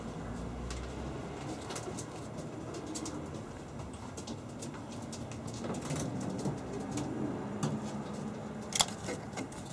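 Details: Homing pigeons in Bensheim give low, soft rolling coos that run on unevenly under a steady background hum, with scattered clicks and wing flutters.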